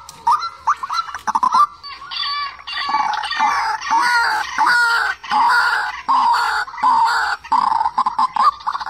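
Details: A white-breasted waterhen, recorded as a lure call for bird traps. It gives loud, nasal, croaking notes in irregular bursts, some rising and bending, with clustered clicks and squawks at the start.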